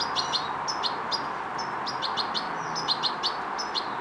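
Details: Fledgling European goldfinch learning coordination, uttering irregular high chirps and brief slurred notes, spaced unevenly, some paired, over a constant background hiss.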